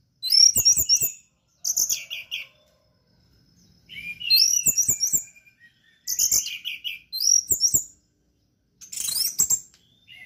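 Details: Orange-headed thrush delivering teler-style song in bursts of about one second, each a rapid run of high, twittering, mimic-like notes, separated by silences and sharp clicking taps.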